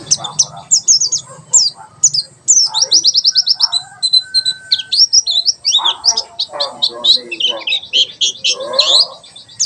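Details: White-eye singing in the 'tembakan sejalur' style, a song offered as a master for training birds: a hurried stream of very high, thin, sharply slurred notes and rapid trills, with lower chattering sounds beneath.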